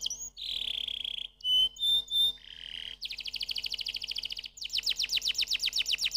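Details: Canary singing varied tours: a buzzy rolling note, clear whistles, a low buzzy roll, and then rapid pulsed trills that speed into fast downslurred chirps.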